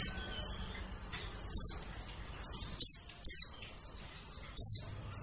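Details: White-eye call used as a forest lure for trapping birds: high, thin descending notes repeated irregularly, roughly 45 per minute, with faint low hum beneath.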